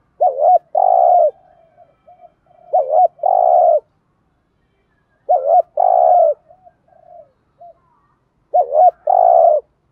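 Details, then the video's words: A spotted dove gives soft, low coo phrases about every three seconds, each a quick double note followed by a longer drawn-out coo, an urging coo used to stir other caged doves into cooing. "tieng chim cu gáy thúc gù bài bản giúp bổi nghe nhanh nổi và gù theo"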